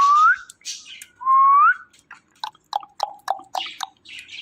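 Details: Talking pet ringneck parrot: two bright rising whistles, followed by a quick string of clipped, sharp chirps and some softer scratchy notes.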